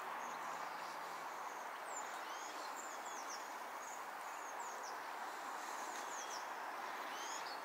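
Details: Waxwings, a number of them visiting a tree to eat berries in December 2023; thin, high calls with short downward strokes, scattered through the recording over a steady hiss of background noise.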